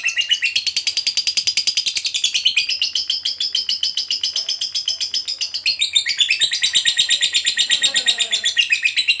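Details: A lovebird sings a long 'ngekek' chatter, played to draw other lovebirds into song. A rapid high trill of crisp pulses runs for over nine seconds, shifting pitch up and down in waves.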